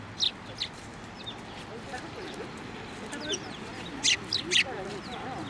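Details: Sparrows perched on a hand for food at a Tenmangu shrine, 15 November 2023. Scattered sharp high chirps, with a louder cluster near the end, over faint human voices.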